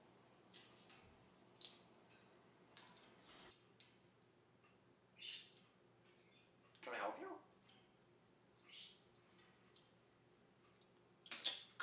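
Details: A pet budgerigar gives harsh, scratchy squawks in short bursts, imitating the noise of a fighting budgie.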